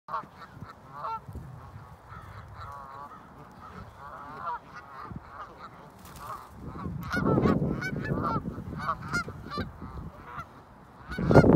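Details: Canada geese resting on a snow-covered field in Ontario, Canada, filmed in December 2018 on an iPhone 8; many nasal honks overlap from several birds, growing busier and louder in the second half, with low rumbling background noise.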